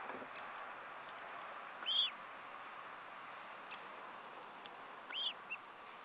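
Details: Osprey on the nest during a meal, 14 July 2012, giving single clear whistled chirps about three seconds apart against a steady noisy background.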